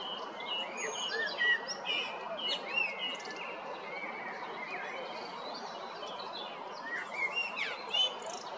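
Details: Male common blackbird singing in spring 2022 at Jarun or Prečko, Zagreb, Croatia; a run of fluty whistled and warbled phrases around mid pitch, with other birds twittering high above in a busy chorus.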